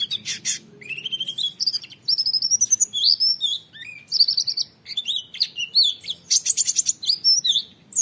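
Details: Training recording of an oriental white-eye singing in the 'nembak wit wit' style: a long, varied stream of high twittering, slurred whistles and short buzzy bursts delivered with barely a pause.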